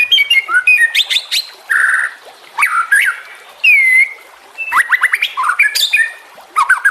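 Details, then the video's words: White-rumped shama, master recording for songbird training: a mix of varied whistles, a buzzy harsh note, a clear downslurred whistle and quick rising notes, with pauses between phrases. "Suara kicau burung murai batu. Masteran buat:cendet plentet trocok cucak ijo rowo jalak."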